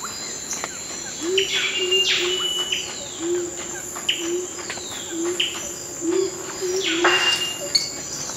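Twelve-wired bird-of-paradise giving short, sharp downslurred notes every second or so, over a steady high insect whine and a low droning hum.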